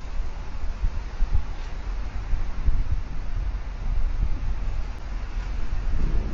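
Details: Outdoors near a white stork nest, wind buffets the microphone with deep, uneven rumbling gusts throughout, and no calls or bill sounds are clear.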